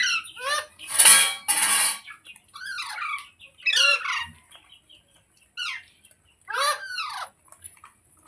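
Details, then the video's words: Ringneck parrot kept as a pet, loud and shrill: a run of harsh squawks with swooping falling contours, several sharp bursts, then scattered calls with silences between. "Ringneck Parrot Sounds"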